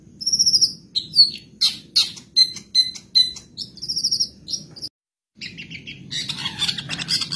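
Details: Madura long-tailed shrike, a kept song bird, in a tutor recording rich in mimicked sounds; high whistled notes and sharp clicking chips alternate, a brief silence falls near five seconds, then dense chatter follows.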